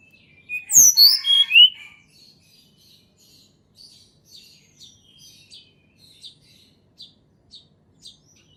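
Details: Sunda robin natural song, used to coax quiet birds into singing: a loud run of rising whistled notes, followed by soft, high, short chips repeated about four times a second that fade away.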